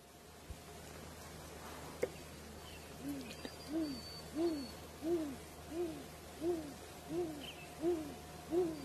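Great grey owl giving a steady series of soft, low hoots, each slightly rising then falling, about nine in a row, under a faint background hum.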